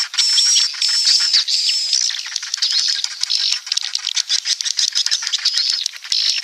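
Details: Swiftlet roosting call: a dense, busy chorus of rapid high chirps and twitters with a thin, steady high whistle running through it and a brief pause early on.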